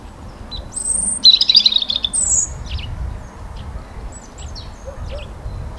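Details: A European robin (Erithacus rubecula) singing in spring: a thin, high, tumbling phrase of quick trills and slurred notes, then softer scattered notes, over a low background rumble.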